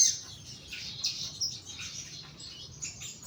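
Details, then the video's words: Caged young bulbul in song therapy, placed in the lower cage, uttering high, hissy twitters and sharp chirps in irregular clusters, with a faint low hum underneath. "BUNYI SOGON MUDA TERAPI SANGKAR BAWAH"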